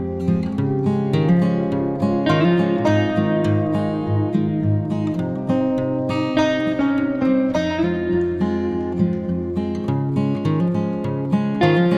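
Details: Plucked acoustic guitar music plays throughout, with strummed chords and no animal voices.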